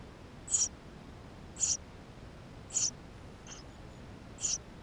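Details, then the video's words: Chicks of the Eurasian tree sparrow calling inside the nest, recorded by GoPro; five high, thin squeaks about one per second, the fourth softer, with faint background hiss. "Воробей полевой 160416 2 в №2016 6 160528 GoPro1440p птенцы внутри 13"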